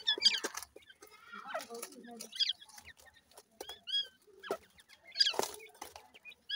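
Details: Calls of grey francolin chicks: clustered high squeaky peeps and arched whistled notes in short bursts separated by brief pauses, with scattered clicks and soft lower murmurs.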